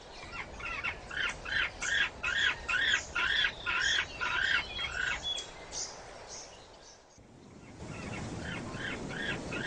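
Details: Male penguins incubating eggs: a regular sequence of about ten harsh, harmonic squawks near two per second, fading into low rumbling background noise with a few distant calls.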